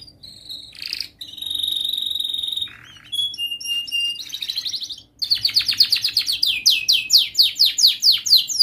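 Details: Lively young canary practising its song, recorded as a master for teaching baby canaries: high whistled notes and a steady sustained tone, then a fast rolling trill of rising sweeps repeated about twice per second.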